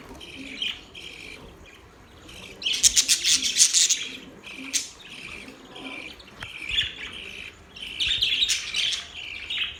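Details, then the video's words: Budgies singing: a soft warbling murmur breaks into a loud burst of dense, grating chirps, followed by quieter chatter and another lively run of squeaky notes near the end. "Budgies sounds | Budgies singing | Budgies chirping sounds"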